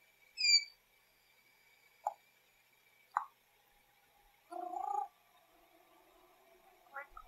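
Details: Pet male African grey parrot making some of his favourite silly noises: a loud high descending whistle, two short clicks, then a harsh nasal squawk and a faint final chirp, separated by quiet gaps and a thin steady background tone.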